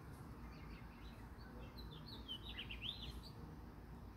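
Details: House finches in Michigan feeding their young; a brief burst of thin, quick chirps and short slurred notes rises in the middle of the recording over low steady background rumble.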